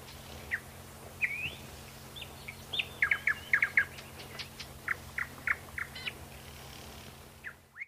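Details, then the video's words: Thrush nightingale (Luscinia luscinia) song: a varied run of sharp clicks, rapid chattering notes and pure whistles, delivered in short bursts over a faint steady hum. "Соловей обыкновенный, или восточный соловей (Luscinia luscinia)"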